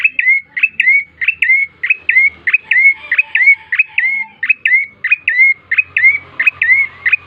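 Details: Bar-winged prinia lure song meant to get other birds singing quickly: a long, steady string of clipped chirps with downward-then-upward whistled flicks, repeated roughly every third of a second with little background noise.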